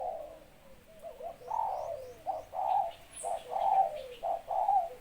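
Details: Male red-whiskered bulbul of Malay line, a breeding bird with thin, clear voice and nearly full plumage, ready to lure wild birds; sings short warbled phrases repeated about once a second, mellow and slightly wavering, with brief quiet gaps.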